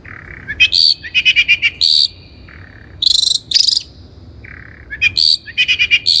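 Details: Vigorous Long-tailed shrike song used as a training lure: low whistled notes, rapid high stuttering trills and harsh buzzy rasps alternate in a varied, repeating phrase.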